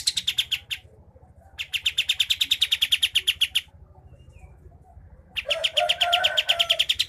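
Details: A sooty-headed bulbul in Pangkalan Jambu, Merangin, Jambi, Sumatra, gives three tightly rolled bursts of fast chattering notes, each a second or more with short pauses between, and a softer, lower note near the end.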